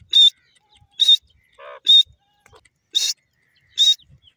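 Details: Grey francolin, known locally as teetar, giving short sharp high notes spaced about a second apart, five bursts with one lower, softer note in between, in a quiet setting.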